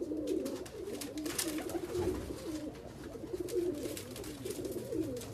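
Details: Persian fancy pigeons give low, throaty rolling coos that overlap almost continuously, with a bubbling rise and fall, in a small echoing room.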